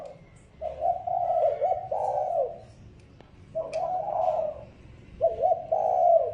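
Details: Decoy spotted dove for luring wild doves, uttering bursts of soft warbling coos that rise and fall, in three separated phrases over a light background hiss.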